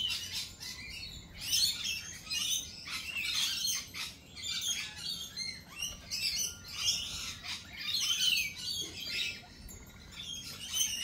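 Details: Lorikeets at a cafe, a dense chorus of shrill, screechy chattering calls in rapid overlapping bursts, pulsing loudly every second or so for the whole stretch, with a faint low hum underneath.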